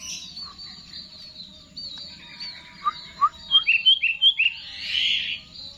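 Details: Kutilang, the sooty-headed bulbul, performing "Garuda" style song: soft high twitters at first, then rising loud notes building into a rapid series of sharp slurred whistles, ending in a harsher rushing burst.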